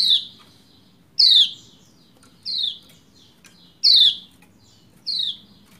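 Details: Lombok white-eye female calling to stir the male into song: five sharp downslurred chirps repeated roughly every 1.3 seconds, bright and high-pitched, over a faint low background hum.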